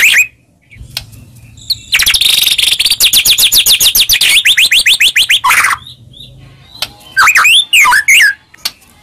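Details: White-rumped shama song used as a lure to provoke a reply: a fast run of repeated sweeping notes, then varied whistled and slurred phrases with short pauses.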